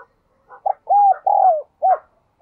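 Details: Spotted dove singing in the 'đồng kim' or 'đồng chuông' (bronze-bell) voice style, described as ringing and pleasant. A single phrase of mellow hollow coos: a short note, a long slurred coo, a longer falling coo and a clipped final note.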